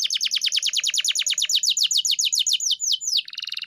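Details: Pet canary master song: a steady run of rapid descending chips, gradually flattening into smoother slurred notes, then ending in a brief buzzy trill.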